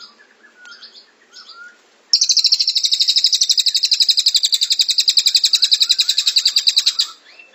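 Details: Grey-cheeked tit-babbler (cililin) tutor recording of a long, dense burst: a very rapid, high trill of tightly packed notes lasting about five seconds, after faint chirps from other birds.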